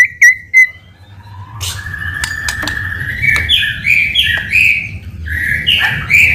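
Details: Shama lure song to draw an answer: a few sharp whistles, then a long low whistle with clicks, building into repeated bright looping phrases at a quick pace.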